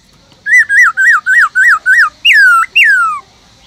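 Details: Black-throated laughingthrush, a caged bird, sings six quick arched whistled notes in an even series, then two long loud whistles sliding steeply downward.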